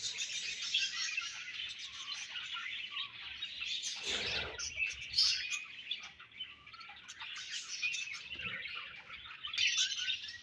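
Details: Several budgerigars chirping while feeding and passing food to one another: busy high warbled chatter with squeaky notes and buzzy trills, one louder rasping burst near the middle, the flock's twittering continuing without pause.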